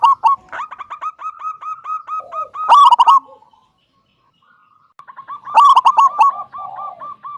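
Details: Local zebra dove singing loudly in the 'kung' style to prompt other doves to join: quick trilled coo notes building to a harsh stuttering burst, a pause, then another trill and burst.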